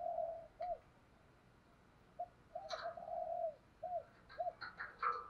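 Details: Spotted dove decoy cooing from male and female birds, used to lure doves: a faint, low hooted phrase of short notes and one long note, over background hiss, with scattered clicks and knocks near the end.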